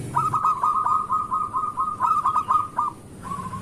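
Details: Lively local zebra dove song meant to prompt other doves to sing in the morning: a long, rapid run of rolling coo notes lasting nearly three seconds, followed by a brief softer restart.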